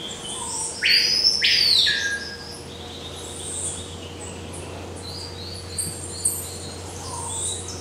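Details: Violaceous euphonia from the forests of eastern South America: two loud, harsh, buzzy notes, each rising then falling, close together near the start, followed by fainter high thin notes and steady background hum.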